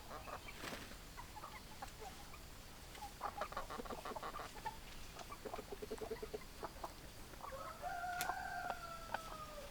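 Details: Farm chickens clucking rapidly in irregular bursts, followed by one long, drawn-out tonal call held for about two seconds near the end, over continuous background hum.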